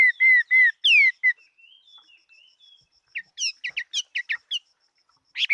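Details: Chinese hwamei singing in a competition-style song: loud rising-falling whistles, then quiet warbles and a burst of sharp, rapid repeated notes, with a faint steady high tone in the background.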